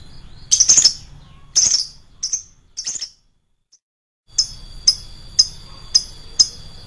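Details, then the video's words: Shrill lovebird lure recording: a few harsh high chirps, a brief silent gap, then five evenly spaced sharp chirps about every half second. "pancingan burung lovebird, suaranya nyaring bosku"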